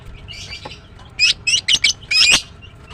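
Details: Female greater green leafbird, or green cucak, in morning chirping: a soft opening note, then four loud, harsh, buzzy chirps in quick succession.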